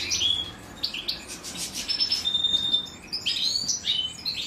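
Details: Female European goldfinch feeding her chicks; high thin chirps and drawn-out whistled notes, with short begging bursts in between.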